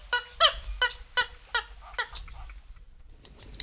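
Purple Gallinule giving a series of nasal, hen-like clucks, about six notes spaced under half a second apart, then trailing off into faint background hiss.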